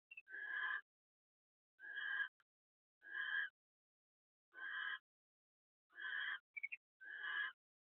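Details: Barn owl pair at the nest house in the evening as the male delivers dinner to the egg-laying female: six rough, breathy screech bursts of about half a second each, spaced one to two seconds apart, with brief squeaks between.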